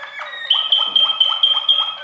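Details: Waterslager canary singing: a steady high whistled tone runs underneath while lower rising strokes repeat about four times a second, giving a rhythmic, ringing phrase.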